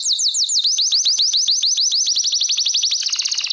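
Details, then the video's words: Belgian canary repeating rapid down-slurred sweeping notes about eight times per second, the phrase sung for training, closing with a tighter high trill. "CANTO CANÁRIO BELGA"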